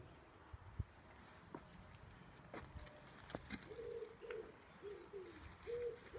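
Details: Wood pigeon singing in a garden, its song likened to the saying 'take two cows Taffy': a low hoarse rhythmic coo phrase of about five notes in the second half, after scattered knocks and rustles.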